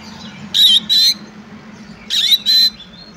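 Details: Oriental magpie-robin in fighting mode giving two pairs of loud harsh rasping notes about a second and a half apart, with a low hum behind.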